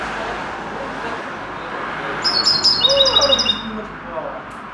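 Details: Linnet taught goldfinch-style singing gives one quick burst of sharp, high twittering notes lasting just over a second, against constant low background noise.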